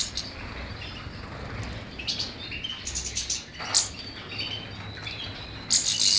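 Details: European goldfinch song of scattered high chirps and short twittering phrases, building to bright buzzy bursts near the end over faint low background noise.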